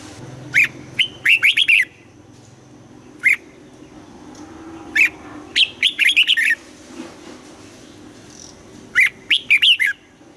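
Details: Red-whiskered bulbul in Vietnam trained to sing in the morning, giving the double-note song of a forest-aged bird: bright whistled phrases of four to five quick rising-falling notes, with single notes in between, repeated several times.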